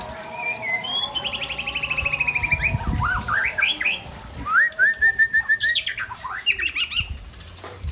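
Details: Aceh-type white-rumped shama, a breeding bird, sings loud whistled phrases: a long descending series of quick notes, then rising slurs and a run of evenly repeated clear notes, with a faint low background hum.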